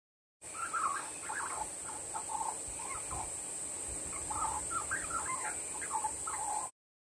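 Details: Young Australian magpie learning to sing, its parents having flown off without it: soft, broken warbling phrases of short wavering notes at mid pitch, rising and falling over several seconds, above a steady high insect-like hiss.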